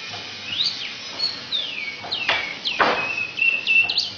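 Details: An Asian pied starling sings with borrowed magpie-robin and canary notes: long smooth whistles that rise and drop, broken by loud snapping clicks, then short twittering notes.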